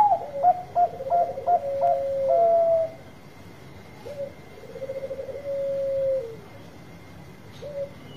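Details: Bangkok-type zebra dove with a big voice, singing actively and used to coax reluctant birds to sing: a series of short, higher clipped coos, then a long level note. After a pause a low rolling trill leads into another drawn-out note.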